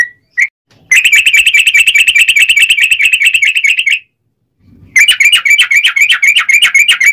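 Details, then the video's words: Sooty-headed bulbul lure recording, a long rapid 'ropel' song to make other bulbuls sing: a brief note, then dense buzzy chattering trills repeated fast for about three seconds, a pause, and another burst. "trucukan gacor ROPEL PANJANG buat pancingan trucukan agar bunyi"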